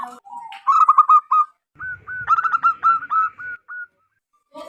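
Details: Wild local zebra dove with a big, loud voice, used as a lure for wild zebra doves. Quick soft notes build into a fast rippling run, then after a pause a second phrase of clipped coos eases into longer whistles.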